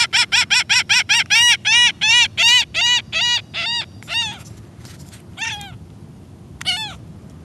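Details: Gull screaming while being fed with others in a Florida backyard: a fast run of about a dozen harsh, evenly spaced yelping cries that slows and fades, then a few separate wails over constant low rumble.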